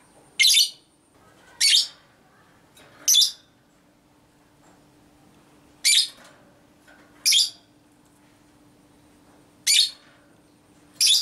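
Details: Lovebird giving a long ngekek series meant to provoke other lovebirds: loud, harsh, high squawks at irregular intervals of one to two seconds over a faint steady hum.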